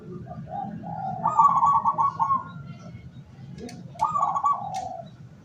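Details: Local zebra dove used as a decoy to lure wild doves, recorded 17 August 2023: two rapid trilled cooing phrases near one pitch, each with a softer lead-in, the second shorter, over a low steady background rumble.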